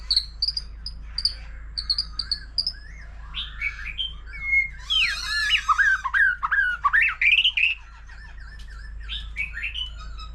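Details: Mature forest-caught white-rumped shama singing solo with a laughingthrush, changing voices continuously: high repeated whistled notes, then a loud burst of varied swooping, chattering and rising whistled phrases before softer chips.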